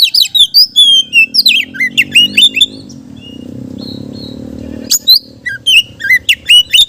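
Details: Oriental magpie-robin song used to lure other magpie-robins: rapid repeated chirps and whistled slurs, a gap with a low hum and faint thin whistles, then renewed fast chattering phrases.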